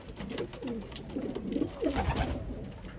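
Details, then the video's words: Pigeons mating indoors in a small room, giving low, soft, rolling coos that rise and fall in short phrases, with faint background noise throughout. "Taubenpaarung / Pigeons Mating / apareamiento de palomas / güvercin çiftleşmesi"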